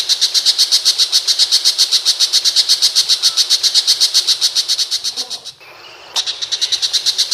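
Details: Long-tailed shrike in Indonesia, a rapid run of harsh, buzzy notes at about four per second, steady and even, with a short break near the end before the pulsing resumes.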